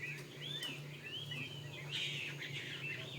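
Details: Chinese hwamei, a fighting bird: faint, rapid whistled phrases that swoop and warble up and down, under a steady low hum and background hiss.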